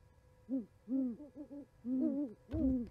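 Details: Owls chatting at an osprey nest in Charlo, Montana, on 11 January 2020, picked up by a nest camera; low, soft hoots overlap in short bursts, two voices at slightly different pitches, with a brief thump near the end.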